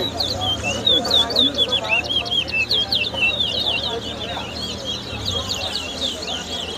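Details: A Large-billed Seed-Finch (towa towa) at a bird singing competition in Lusignan, Guyana, 2022, sings a fast, continuous stream of clear, high whistled notes sweeping up and down over crowd murmur and voices.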